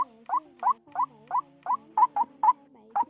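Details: White-breasted waterhen single-note call recorded at the end of the 2020 season, a steady series of short, nasal, upslurred notes at about three to four per second over a faint low hum.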